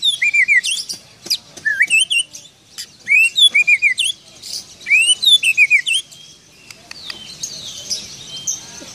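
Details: Oriental magpie-robin singing a song filled with imitations of a parking attendant's whistle: loud, clear whistled notes with rising and falling slurs, delivered in quick bursts of repeated phrases with short pauses, ending in softer chattering.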